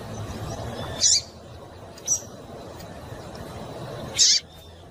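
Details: A female Double-collared seedeater calls to warm up a male and make him sing, producing two strong, very short high-pitched chips about three seconds apart with a faint softer note between, over low background hiss.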